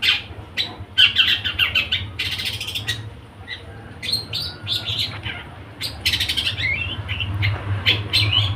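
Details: A long-tailed shrike sings in the rapid trotol style and is called a fighter. Dense, harsh chattering and scratchy notes come in quick overlapping bursts over a steady low hum.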